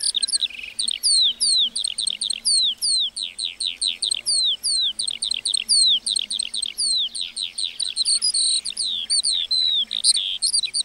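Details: Lark song over a meadow: a long rapid series of sharp, high down-slurred chirps repeated again and again, later merging into denser twittering.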